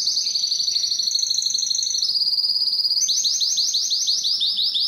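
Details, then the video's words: Canary singing to excite females for mating, delivering smooth rapid trills that step between pitch levels before switching to a slower, choppy series of rising notes repeated several times a second. "تغريد كناري للتسميع و تحفيز الانات للتزاوج"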